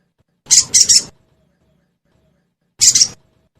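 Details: Sogon, the crested jay, in a lure recording meant to set caged birds singing: a loud triple burst of shrill, grating chirps, then a doubled burst about two seconds later.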